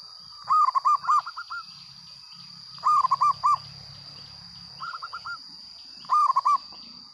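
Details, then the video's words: Loud local zebra dove song: repeated phrases of fast, looping coos and softer trills every two to three seconds, with a low rumbling background and a constant high-pitched whine. "perkutut lokal gacor suara lantang"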